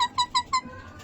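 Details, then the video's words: Indoor pet parrot imitating a dog on request, four quick, clipped, nasal yelps in under a second, then praised as a good doggy. "Bolne wala tota"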